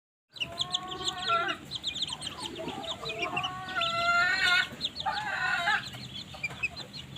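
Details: Several Polish chickens warming in the morning sun give drawn-out, nasal, wavering calls and soft clucks that overlap, with quick high chirps from other birds behind them.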